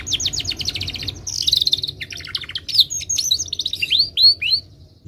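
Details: Timbrado canary singing a fast rattling trill that shifts into a buzzy roll, then scattered chirps and clear upswept whistled phrases fading out at the end.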